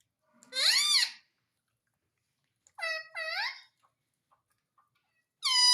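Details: Talking pet parrot giving a loud arching squawk, then a pair of shorter curved harmonic notes after a pause, and a further steady call at the end.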